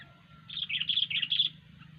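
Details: Sooty-headed bulbul singing: a brief run of bubbly, warbling notes lasting about one second, over a steady low hum.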